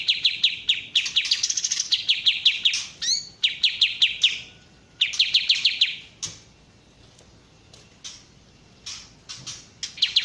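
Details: Kapas tembak bulbul, local bird name, singing: fast runs of sharp chirps repeated about five per second, with a brief upward sweep near three seconds and short pauses between bursts; a quiet background.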